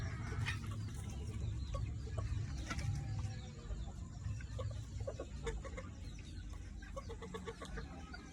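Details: Many red junglefowl in a backyard give quick clucks in loose bursts, roughly three per second at times, over low-pitched background noise.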